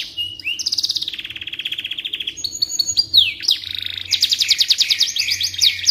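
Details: Canary song meant as a tutor recording for magpie robins: a steady rolling trill at one pitch, then higher whistled glides and downward slurs, closing on a bright, fast, high trill.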